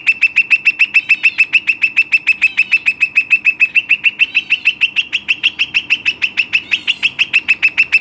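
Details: A pet Western rock nuthatch delivering a sustained, very regular trill of loud piping notes, about three per second, steady in pitch for eight seconds with a slight rise midway.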